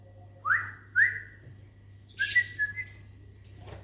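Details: Caged lovebird in a small aviary, morning, replying to human whistling: two rising human whistles come first, then the bird answers with a cluster of sharp, high, scratchy chirps and a final short squeak.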